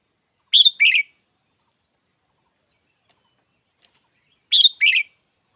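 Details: Red-whiskered bulbul repeating a brisk two-note chirp, the first note higher and the second lower, heard twice about four seconds apart, with faint clicks between.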